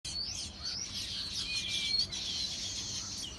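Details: Many small birds chirping at once, a dense, continuous chorus of high, quick tweets and twittering notes with a few clear whistled strokes, steady throughout with no other sounds.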